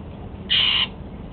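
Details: One loud, flat, grating note about a third of a second long from a pet male Golden-fronted Leafbird feeding on apple for his breakfast.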